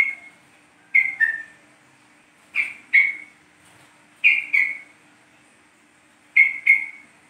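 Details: East Javan yellow-vented bulbul lure sound, meant to get the bird singing: bright whistled notes, often doubled, the second dropping lower, in bursts spaced one to two seconds apart, no other sounds.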